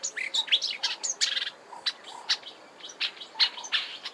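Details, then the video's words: A rapid, chattering warble from a marsh warbler, Kap River Nature Reserve, Eastern Cape, South Africa, March 2020. Varied high twitters and short whistles tumble together, with mimicked phrases and repeated notes. "Marsh Warbler singing at Kap River Nature Reserve, Eastern Cape, South Africa in March 2020."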